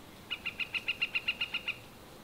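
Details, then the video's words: A northern flicker gives a quick, even run of about eleven high, sharp notes, roughly eight per second, over faint hiss; wood-pecking is also reported. "Northern Flicker call and wood-pecking"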